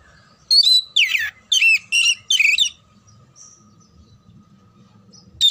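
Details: Oriental magpie-robin song played to train birds for singing contests: five loud, rapid whistled phrases of sweeping and warbling notes come in quick succession, then near silence with a faint low hum.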